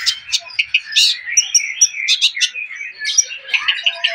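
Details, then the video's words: A Long-tailed Shrike described as a rare golden colour variant sings a fast, rambling medley of chirps, scratchy chatter and sharp high whistles, packed closely together without pause. "PENTET JENDET GOLDEN MENARIK SELAIN SWARA WARNA LANGKA"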